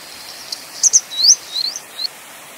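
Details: Grey wagtail, Motacilla cinerea, giving a faint tick, a pair of sharp high chips, then a rising slurred whistle followed by two shorter thin upslurred notes, very high-pitched against a quiet steady background hiss.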